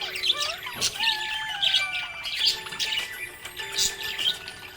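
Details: Happy budgie chirping: rapid high scratchy chirps and short squawky notes in irregular bursts, over a background of soft music.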